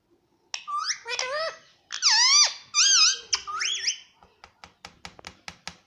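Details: Pet Indian ringneck parakeet in a room: several shrill, rising and bending squeaky calls over about three seconds, followed by a string of soft rapid clicks.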